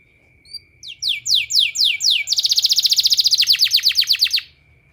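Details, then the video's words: Training therapy song of a canary: slurred descending notes repeated about four per second, running into a fast metallic trill that slows into dropping notes before stopping; a faint steady tone throughout. "suara terapi kenari ampuh"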